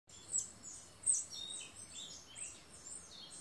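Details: Male Stripe-throated Hermit singing at a lek with at least six other males, giving thin, very high squeaky notes irregularly about once a second over soft background hiss.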